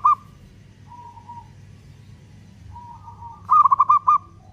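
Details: Local zebra dove in song, used to provoke other doves into singing: a brief coo, two soft drawn-out level notes, then a loud burst of quick pulsed coos near the end, with a constant low background hum.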